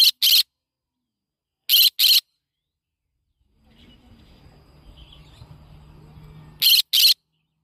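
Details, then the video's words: Yellow-sided conure calling in paired harsh squawks, three pairs spaced over several seconds, with a low rumbling background noise in between. "Yellow sided conure parrot bird sound"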